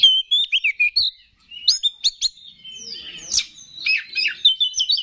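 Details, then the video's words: Oriental magpie-robin lure song for rousing other magpie-robins: crisp downslurred whistles repeated several times, a brief pause, then chirps building into a busy, rich warble. "4UTO G4COR🔥Pancingan Menaikan Emosi K4CER"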